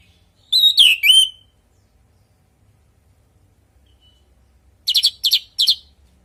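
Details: Orange-headed thrush singing vigorously, a natural-voice lure recording: a loud burst of slurred whistles and rattling chips, a long silence, then three quick clipped chirp clusters close together.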